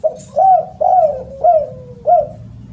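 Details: A spotted dove calls loudly and melodiously: four hoarse coos in steady succession, each rising then trailing down in pitch, with a faint low hum beneath.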